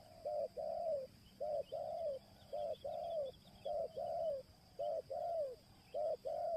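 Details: Indonesian spotted dove pikat luring call of the merayu type. Soft coos come in repeated phrases, each a clipped note then a longer downward-sliding coo, about one phrase per second, over a faint hiss and steady high tone.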